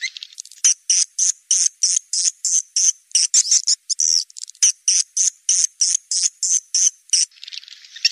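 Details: A mixed swiftlet lure call: a rapid run of high, buzzy chirps, about three bursts a second, delivered as a steady string of short clicking twitters with no other sounds.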